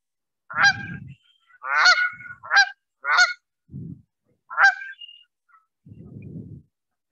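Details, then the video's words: Pair calls of Canada geese, male and female calling together, played from a phone: loud, nasal honks, five or six in about seven seconds, each rising then breaking, with low rumbling noise between them. "those are pair calls. Those are the male and female calling together."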